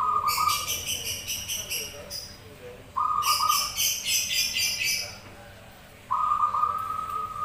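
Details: Zebra doves answering each other: long, even, trilled cooing phrases alternate with bursts of high, rapid chirps from another bird between the phrases.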